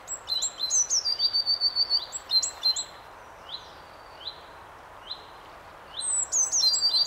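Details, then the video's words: A great tit sings among other birdsong: bursts of high, rapid twittering notes, separated by a few sharp, downslurred notes spaced about a second apart. "Talgoxe med fågelsång. Great tit."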